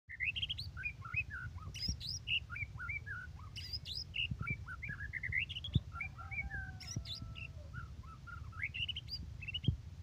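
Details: White-rumped shama in full varied song: rich whistled phrases of rising and falling slurred notes, quick chirps and a couple of long drawn whistles, over a steady low background rumble.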